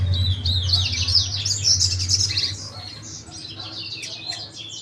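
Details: Coleiro, the double-collared seedeater, delivering a fast, loud twittering phrase of rising and falling whistled notes, fading into softer chirps, with a continuous low hum underneath.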